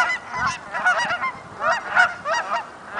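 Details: Canada geese during migration give clear, ringing honks in quick bursts, with many birds overlapping in a noisy chorus of nasal, two-part calls.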